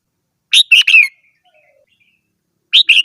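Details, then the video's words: Red-whiskered bulbul gives a loud three-note chirping phrase, the last note drawn out and falling, followed after a pause by the start of another two-note phrase; faint soft notes between. "chim chào mào hót - tiếng chim chào mào hót"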